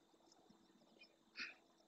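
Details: Eurasian magpie in the marsh of El Rocío, Doñana National Park (Almonte, Huelva, Spain), where small flocks feed on carrion, seeds or invertebrates, gives a single harsh, rasping chack against a quiet, faintly hissing background.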